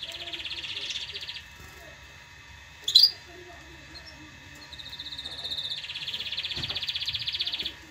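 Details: Canary song meant for chicks to learn from and to excite females for mating: a quick pulsed trill, a pause broken by a sharp click, then another long rapid roll building toward the end.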